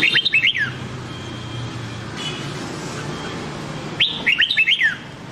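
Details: Red-whiskered bulbul training song in the Nam Đông style, used to coach a white-cheeked bird: a short burst of bright warbled, rising-and-falling whistled notes, a long quiet gap with faint background hum, then the phrase repeated.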